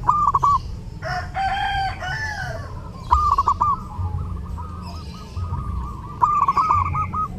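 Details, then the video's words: Zebra dove singing during Eid, kept as a tutor bird: short runs of clipped, rolling coos recurring every few seconds, while a rooster crows loudly near the start over a low hum. "LEBARAN TAMBAH RAME DENGAN SUARA PERKUTUT: Burung perkutut gacor saat lebaran cocok buat masteran"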